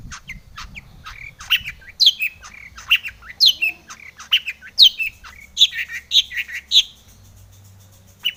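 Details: Long-tailed shrike delivering varied full song to provoke other shrikes into answering; chattering, squeaky phrases with sharp high accents, a pause near the end, then a final burst.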